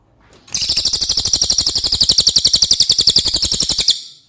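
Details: Cililin song for tutoring contest birds: one sustained, rapid, high-pitched buzzing trill of evenly spaced harsh notes, roughly ten per second, running about three and a half seconds.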